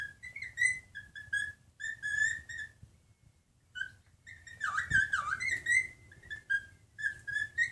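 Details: A male silver white-faced cockatiel in rescue care whistles a bright, tuneful song of repeated warbling phrases with short pauses between them.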